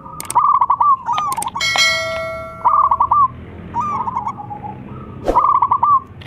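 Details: Local zebra dove, its song used as a lure to anger rival birds. Short phrases of rapid, trilled coos are interrupted by sharp clicks and a ringing, bell-like tone.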